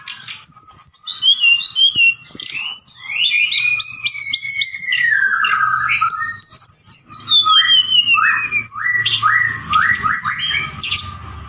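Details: Forktail used as a night lure to provoke other birds; a long, nonstop sequence of piercing whistles, stuttered rattling phrases and sweeping slurs, with brief rising and falling notes.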